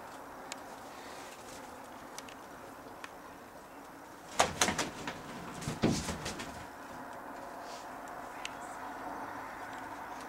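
A barn owl gives two harsh, rasping hiss-screeches about a second and a half apart, over a low steady background hum with a few faint clicks.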